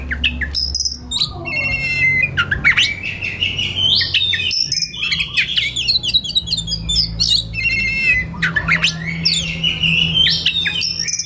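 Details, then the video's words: Captive white-rumped shama (kacer) singing in a relaxed style, used as a master recording for training young wild-caught birds; varied whistled and buzzy phrases, rising sweeps and rapid trills in dense, continuous bursts, with low background hum. "SUARA KACER SANTAI LANJUT KONSLET Pas Buat Masteran Kacer Bahan Muda Hutan"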